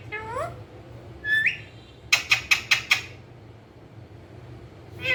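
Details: Pet ringneck parakeet, a green parrot said to be talking, gives two rising nasal whistled calls, then a rapid run of five harsh clipped squawks, one more call following after a pause, all over low background hum.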